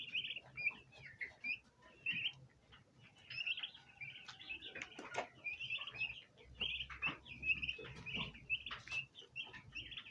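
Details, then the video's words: Bronze turkey poults, a domestic flock crowding a basin of ornamental plants and wanting to feed, peep in quick bursts of high, slightly wavering chirps, several birds overlapping, with faint scuffling in the background. "baby turkey Free Sound Effects | bronze turkey poults"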